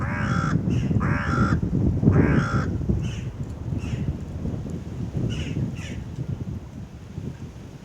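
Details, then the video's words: A young western jackdaw gives hoarse, nasal begging calls, three strong ones in the first three seconds, then fainter repeats, over low rustling and outdoor noise, while crows, magpies and ducks feed on soaked kibble. "It's a Jackdaw baby making begging sounds"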